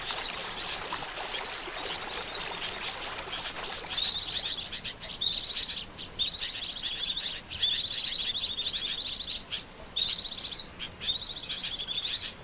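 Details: Oriental white-eye trapping lure: many quick bursts of high, dense twittering, each opened by a sliding descending whistle, bursts following one another every one to two seconds.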